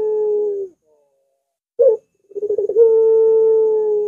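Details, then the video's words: Barbary dove long coo, used to train and lure other doves: the tail of a steady hum fades out, then after silence comes a short sharp note and a rapid stutter opening into a prolonged even tone. "Masteran Burung Puter !! Suaranya Melengkung Panjang Cocok Banget Dijadikan Pancingan Puter"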